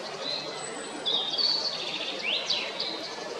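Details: Male Eurasian blackbird at Jarun in Zagreb, Croatia, recorded 22 April 2021, giving a high twittering phrase: a thin sustained note, then sharp up-and-down squeaky sweeps, against steady outdoor background noise.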